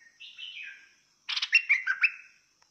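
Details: Fierce-style bulbul singing: a slurred, falling warble, then after a pause a dense run of sharp chattering notes, with a faint constant high whine behind.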